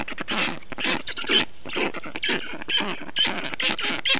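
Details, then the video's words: Black stork storklets in an Estonian nest on a hot June day in 2021, calling as the parent cools them with wet grass and moss; dense, overlapping rough, grunting calls in fast succession, about two a second. "Karl does everything possible to cool down the nest and storklets"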